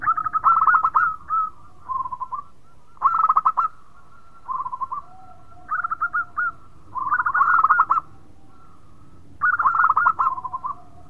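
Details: Zebra dove of a local strain singing vigorously and sweetly, said to prompt other birds to call: repeated bursts of fast staccato coos alternate with softer trilled phrases, and a lower drawn-out note sounds between them.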